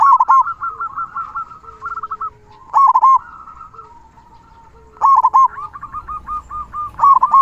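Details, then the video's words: Zebra dove song in the big 'kung' style, a tutoring recording for other doves: a loud double coo followed by long fast strings of short rolling notes, several phrases over the clip. "Perkutut Lokal Gacor Suara Kung Besar Masteran Burung Perkutut Agar Bunyi"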